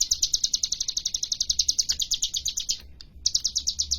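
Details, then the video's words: Hill prinia, locally called cigun or ciblek gunung, singing persistently with varied bursts: a fast, even series of high, sharp chipping notes that breaks off briefly near the end and then resumes. Low rumbling background. "burung cigun atu sering di sebut ciblek gunung gacor fariasi tembakannya"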